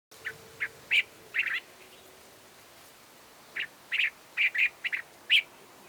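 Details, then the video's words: Cape Bulbul, call variation 2: short, harsh, slightly nasal chattering notes in two quick bursts of about five to seven notes, separated by a pause. "Cape Bulbul Call Variation 2"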